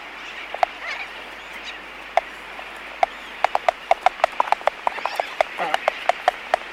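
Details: Close-up Laysan albatross colony: crisp wooden clicks come scattered at first, then run in a quick rattling series of about a dozen snaps, over a soft murmur of distant birds.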